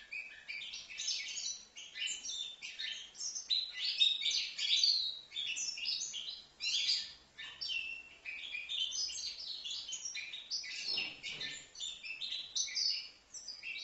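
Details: Young European goldfinch, five months old, from Livno, singing a continuous high twittering song of quick tinkling notes and short buzzy trills. Brief phrases run almost without pause over nearly fourteen seconds, with one short break near eleven seconds.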